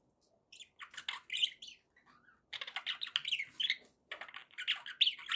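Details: Budgerigar warbling played to keep pet birds company, scratchy chirps and squeaks in bursts, growing denser and louder after a short lull.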